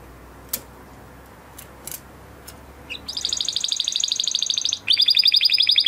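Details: Huppe Spanish Timbrado canary bred in 2020, kept in a flock, in a training song: scattered faint clicks over low hum, then a rapid metallic trill bursts in, pauses briefly, and resumes as a sharper bell-like roll.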